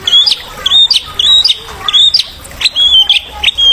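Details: White-rumped shama song used to stimulate young birds: repeated short high whistled notes, each ending in a sharp upward flick, given roughly every half second in an uneven rhythm.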